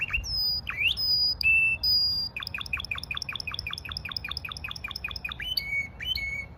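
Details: Russian canary song: upswept and held whistles, then a quick series of repeated chirped notes about four per second, closing with clear whistles; low background hum.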